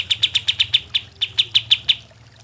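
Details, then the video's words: Kapas tembak bird singing, the kind of recording used to prompt reluctant birds to sing; a short run of sharp, high chip notes repeated quickly, with a slight pause midway, over a steady low hum. "kapas tembak gacor cocok untuk pancingan kapas tembak yang malas bunyi"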